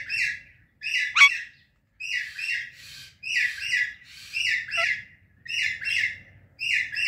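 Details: Loud morning chirping from a pet pair, an Indian ringneck and an Alexandrine parrot: rasping double and triple chirps in regular bursts about once a second, with one sharp, piercing squeal early on and little background noise.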